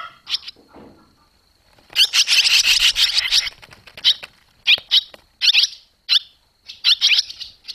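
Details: Young barn swallows fledging from the nest on 21 July 2023, after days of flying out and back. A dense burst of sharp high chirps, then short separate chirps in clusters, with a steady thin high tone behind.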